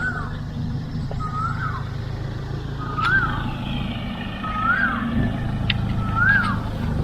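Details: Asian Koel calling on Ko Samet island, Thailand, near a national park entrance, giving clear two-part rising whistles about every one and a half seconds over a steady low rumble of traffic.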